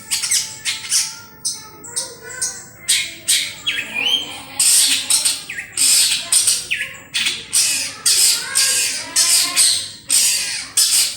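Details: Lure song of a long-tailed shrike: a continuous run of harsh, grating chatters mixed with scratchy squeals and mimicked-sounding notes, rapid and irregular throughout.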